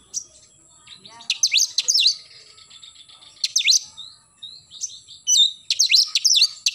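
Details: In the morning an oriental magpie-robin sings in loud 'nembak' style, giving scattered bursts of sharp, swooping high whistles and short chirps with brief quiet gaps between phrases.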